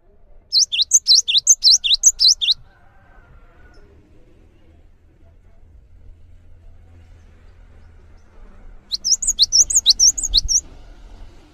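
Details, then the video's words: Singing cinereous tit, meant for tutoring other songbirds: two bursts of very high, rapid chipping two-note phrases about seven seconds apart, with faint low rumble in between. "GELATIK BATU GACOR ANTENG UNTUK MASTERAN"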